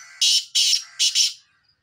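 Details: Black francolin calling: a quick run of four harsh, buzzy, high-pitched notes, the first two evenly spaced and the last two run together, ending in silence.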